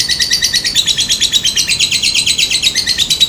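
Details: Lovebird lure sound meant to make other lovebirds answer, in the style locally called ngekek: a fast, steady stream of high, buzzy chattering notes, about eight per second, running without a break through the whole stretch.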